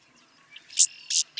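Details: Savannah Sparrow call: two very high, thin, sharp notes about a third of a second apart, joined by a faint thin trill, with a softer lower note just before.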